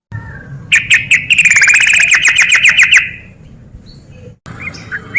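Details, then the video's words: Yellow-vented bulbul 'ropel' song, a lure for lazy birds to sing: a few spaced bright chips build into a rapid rattling trill lasting about two seconds, then fade, with faint distant chirps after a cut. "SUARA TRUCUK GACOR EMOSI TINGGI PANCINGAN TRUCUKAN MALAS ROPEL"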